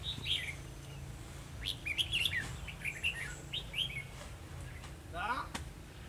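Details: Decoy red-whiskered bulbul in a trapping session on 2 December 2020, giving combative song aimed at rival birds: bright, quickly slurred whistled notes in short bursts, each followed by a pause, over a low rumbling background.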